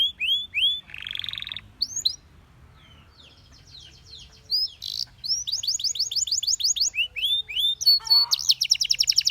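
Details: Belgian canary with other canaries singing: curved whistles and a buzzy roll, a quieter pause, then a loud burst into quick repeated slurred notes and fast trills.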